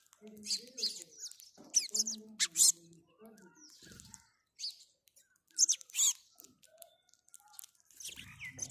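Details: Chirping house sparrow: clusters of shrill, high cheeps and squeaky notes delivered in uneven bursts, with short quiet gaps and faint lower murmurs.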